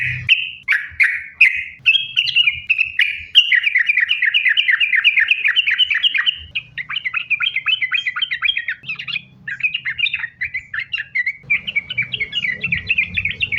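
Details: Sooty-headed bulbul in vigorous, continuous rapid-fire song used as a lure to get other bulbuls singing: opening separate chirps, then long runs of fast, tightly linked bright notes, briefly broken near the middle and resuming.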